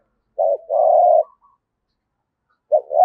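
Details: Spotted dove kept as a decoy, singing in the 'giọng thổ' style: one short note and a long steady coo, a long silence, then the start of another phrase.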